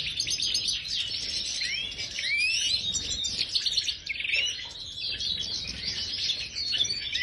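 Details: Major goldfinches in an aviary pour out a long, bubbling twitter of high chirps and swooping whistles, with a short dip in volume midway before the chatter resumes.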